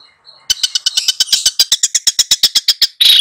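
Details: Long-tailed shrike tutor for two pupils: a faint thin whistle, then a rapid, evenly spaced rattle of scratchy high notes for about 2.5 seconds, ending in a harsh buzz.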